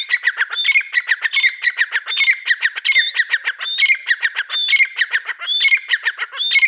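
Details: Partridge calling loudly with a rapid, continuous series of harsh, raspy chattering notes. Short, high rising whistles cut in every second or so, giving an urgent, rhythmic pattern throughout.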